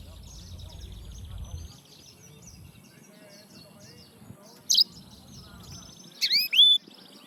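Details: Serinus mozambicus, the yellow-fronted canary: thin, rapid high twittering runs throughout, broken by a short loud chirp and then a burst of several sharp, descending whistled notes near the end.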